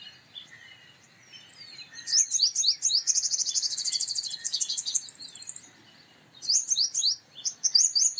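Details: A male purple sunbird sings a high, rapid twittering run of sharp, thin notes, pauses, then resumes in quick bursts; a faint distant bird calls early on.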